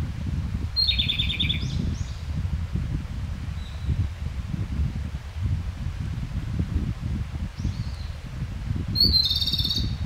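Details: Japanese robin subsong with a fast rattling trill phrase near the start and another at the end, faint high notes between, against heavy low rumbling background noise.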